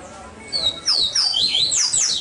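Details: Double-collared seedeater from a breeding facility in Salvador, Bahia, Brazil, singing clear high whistled notes that sweep down and up in quick succession, slightly reverberant, over a soft hiss.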